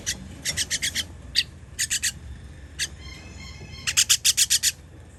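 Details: Nestling birds being fed on 21 June 2023 give raspy, hissing begging calls in quick bursts of three to six, separated by brief pauses, with faint thin tones in between.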